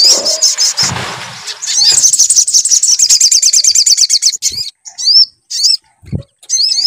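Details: Sunbird song used as a lure to make the bird sing: thin, very high chattering trills with fast repeated notes in long bursts, broken by short pauses and a few low thumps.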